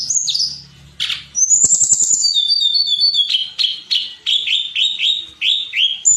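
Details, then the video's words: Tledekan gunung flowerpecker song from a songbird training recording: high whistles, a rapid trill, then a series of repeated downslurred notes at roughly three per second, with a low hum early. "Audio Masteran Tledekan Gunung Suara Tembus & Cadas"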